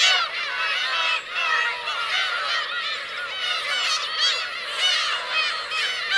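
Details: On Teuri Island's Kurosaki coast in Hokkaido, Japan, black-tailed gulls with their chicks, filmed 17 June 2021. Crowded, ceaseless mewing and wailing calls overlap, with brief lulls and louder bursts.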